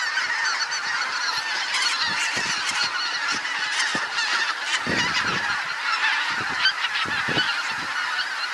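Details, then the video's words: Geese arriving in their hundreds over trees and dropping onto a meadow, a common sight in this area, fill the air with a thick, unbroken babble of honking calls and scattered sharper yelps. "Hunderte Gänse landen auf der Weide/ Hundred's of geese landing"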